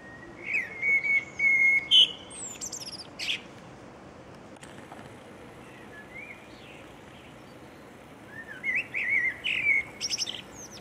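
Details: Common blackbird song in two phrases: mellow whistled warbling with a bright squeak at the start, a quiet gap, then another rising and falling fluted phrase ending in thin high twittering notes.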